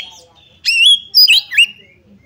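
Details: Oriental magpie-robin song used as a lure to provoke another bird into fighting: a quiet start, then loud whistled phrases with bright rising and falling notes and a tail of fading whistles.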